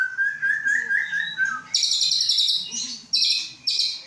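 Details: Young male white-rumped shama from Aceh, Indonesia, hatched 23 August 2012, a captive-bred bird being prepared for the breeding cage, singing loud clear whistled phrases followed by bursts of harsh, rapid high chattering notes.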